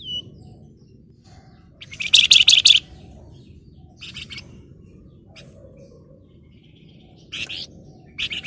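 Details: Breeding Flamboyan bird calling to a rival, giving one loud, fast, grating chatter of about a second. Shorter high chip bursts follow over steady background rumble.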